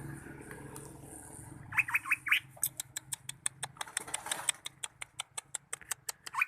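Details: Greater green leafbird song: after a quiet start with low hum, a quick run of rising curved whistles, then a long series of sharp clicking ticks at a steady pace, ending with another upswept note.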